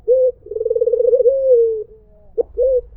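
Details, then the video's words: White Barbary dove cooing: a short clear note, then a long rolling, purring coo that flattens and slowly falls, followed after a pause by a brief click and another short coo. "SUARA BURUNG PUTER PUTIH"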